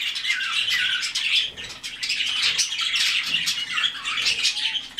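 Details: White-faced cockatiels giving a steady stream of overlapping squawky, chattering calls with no pauses, sharp notes rising above a dense background of scratchy chatter throughout.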